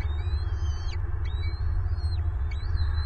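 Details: Bald eagle adult at a Southwest Florida nest, irritated with both chicks during feeding: a few high, slurred whistles with downward-bending ends, set against a loud low-frequency background hum.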